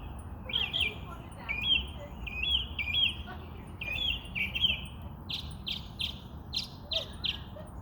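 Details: Bird chirping: bright, short chirps repeated in quick runs, first slurred doubled notes, then crisp evenly spaced clipped notes in the last seconds, with faint low background rumble.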